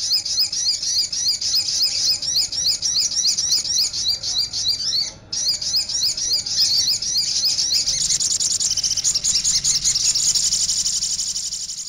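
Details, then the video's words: Crimson sunbird song used as a lure recording: long run of rapid, high, chattering twitters and thin trills, a brief break midway, then a dense, buzzy, fast-repeated warble continuing to the end. "MASTER BURUNG SOGOK ONTONG | SRIGANTI [] PIKAT BURUNG SOGOK ONTONG"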